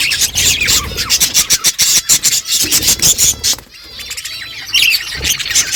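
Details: Budgerigars in a flock on a morning, chattering to each other: rapid, sharp chirps and clicks in quick succession, then softer warbling after a short lull.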